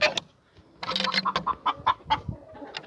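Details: A hen loudly squawks in a chicken coop with Cochin hens and a brooding hen, giving a quick run of harsh, nasal notes at about five a second; a man speaks briefly nearby.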